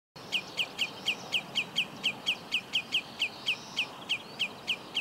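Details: Common redshank at Úherce, Plzeň-North district, Czech Republic, 18 June 2017, gives a steady series of short, sharp, slightly falling high notes, about three or four a second, over faint background hiss.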